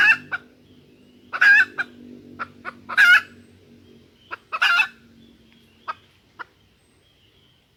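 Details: Female junglefowl lure sound meant to make wild males crow: a series of harsh, raspy cackles and sharp single clucks, irregularly spaced over several seconds. Low hum in the background.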